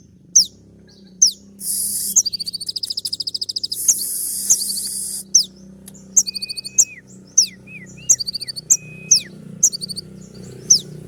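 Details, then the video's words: Brown-throated sunbird (kolibri ninja) in tembak song meant to rouse another bird: sharp high chips and stuttering rattles, with hissing bursts of noise early on and a few flat, even, lower whistled tones later. "putar sekali koninmu pasti nyaut masteran suara tembak yang buat konin emosi"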